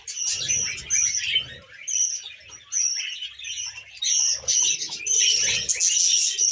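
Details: Tame female budgie chattering in bursts about a second long, mixing harsh chirps with clear high whistled notes, separated by short quieter gaps, with soft low knocking sounds beneath.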